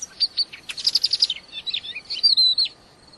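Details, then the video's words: Wild crested lark singing actively: a quick, varied run of high twitters, short trills and clear whistled notes, ending on a longer sweet whistle. "crested lark liar gacor"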